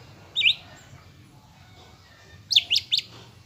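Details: Greater green leafbird lure song to provoke a caged bird's fighting spirit: one bright, buzzy chirp, a silence, then three quick piercing chirps.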